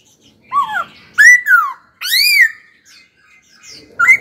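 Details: Caged laughingthrush being trained to sing: separate loud whistled phrases, a falling slur, a rising-falling note and a long harsh arched call, with quiet gaps and a last brief rising whistle.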